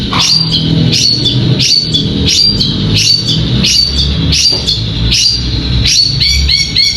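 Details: High chirping phrases from a caged contest songbird, short bright notes repeated more than once a second over a steady low hum.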